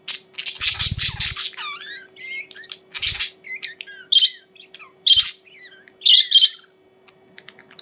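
Budgerigars chatter with rapid squawks, warbles and short rising whistles in a busy, irregular stream.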